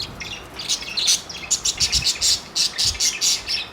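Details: Four parakeets during flirting deliver quick, regular high-pitched chirps, about four per second, forming a lively rhythmic twitter.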